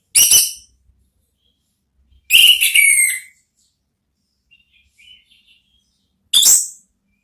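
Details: Orange-headed thrush in ngeplong song style, played as a therapy song to lure other thrushes into answering: three short, bright whistled bursts, the middle one a longer slurred phrase, separated by gaps of silence with a faint trill between.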